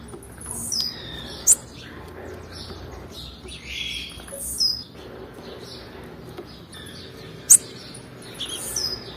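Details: A female blue-black grassquit calls to stimulate males, giving brief piercing high chirps paired with quick downslurred notes, repeated about every six seconds against a hissing background.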